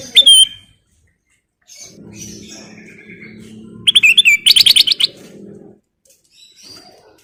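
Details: Lure song of a sooty-headed bulbul (golden kutilang): a clear upslurred whistle, a quiet gap, then a fast rattling burst of chirpy, bubbly notes over a low hum.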